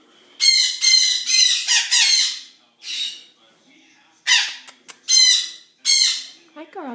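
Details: Birds at a zoo on a morning, squawking harshly in rapid strings of rasping bursts. A brief gap follows, then more squawks, with a person's voice faint at the end.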